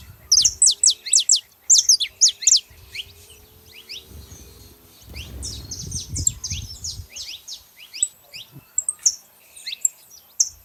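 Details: Flock of free-living saffron finches in the wild: bursts of sharp, high, tumbling chirps from several birds, a quieter stretch mid-way over low rumbling noise, then scattered calls resume.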